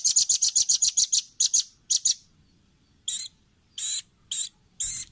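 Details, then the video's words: Velvet-fronted nuthatch training recording for caged birds: a fast, loud trill of piercing high notes breaks into shorter groups, followed by several drawn-out nasal, buzzy notes. "Masteran Ampuh burung rambatan paruh merah/masteran audio rambatan jernih mudah di tiru"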